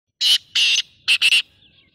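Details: Black francolin calling: loud, harsh, rasping notes, two drawn-out grating notes followed by a quick burst of three, in an otherwise quiet setting.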